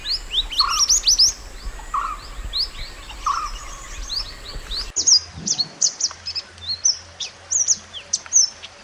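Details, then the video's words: Mountain white-eye in the wild, song for training other birds: quick high twittering with repeated lower whistled notes, then a crisper series of sharp high chirps after a cut, a low hum behind. "MASTERAN SPESIAL MANTENAN GUNUNG ASLI ALAM"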